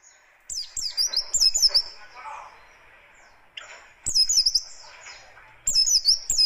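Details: Oriental white-eye of the buxtoni race giving a harsh, fast 'tembakan kasar' riwikan song used to provoke and tutor other birds: three bursts of high, thin, rapidly zigzagging whistled notes, each lasting about a second, separated by quieter gaps with faint background noise.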